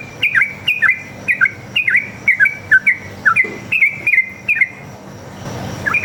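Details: A sooty-headed bulbul's lure song for drawing replies from other bulbuls: brisk, liquid whistled notes roughly two per second, each with a dipping slur, ending in a short lull with a soft low rumble.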